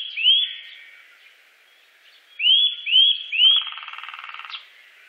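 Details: Eurasian nuthatch calling: a single rising whistled note, then three quick upward-curving whistles about half a second apart, followed by a lower, buzzy, rattling sound.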